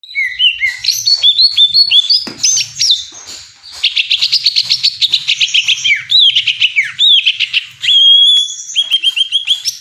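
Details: Greater green leafbird singing loudly: varied whistled phrases that slide up and down, then long runs of rapid chattering notes and a clear, sustained whistle near the end, in a quiet setting.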